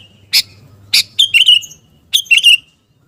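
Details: Sooty-headed bulbul, kutilang garuda type, singing gacor to fire up fighting spirit: two sharp chirps followed by two quick warbled phrases, close and clear against near silence.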